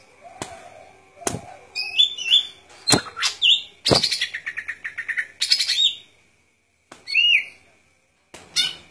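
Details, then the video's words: Golden-fronted leafbird delivering a lively run of whistled slurs, quick chips and a buzzy rattle, pausing briefly, then resuming with a rising-falling whistle among occasional clicks. "Good Performance of Golden Fronted Leafbird"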